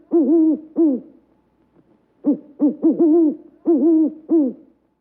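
A white owl gives about nine short, hollow, arched hoots, first a pair, then a quick cluster and another pair, over a quiet background.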